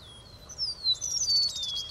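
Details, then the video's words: Eastern meadowlark singing a short phrase of pure, sweet whistles that slur down in pitch, ending in a longer descending note with a slight warble, with little background noise. "Sturnelle des prés/Eastern Meadowlark"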